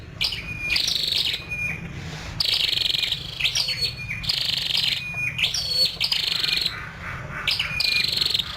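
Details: Female scarlet-backed flowerpecker calling almost continuously, giving sharp high chips, thin descending whistled notes and harsh buzzy bursts over a faint low hum.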